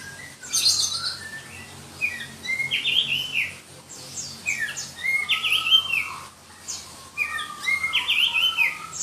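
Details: Black-breasted Oriental magpie-robin from Berau, East Kalimantan, delivering its shrill song: repeated phrases of tumbling whistles and high scratchy notes roughly every two to three seconds, over a soft low hum.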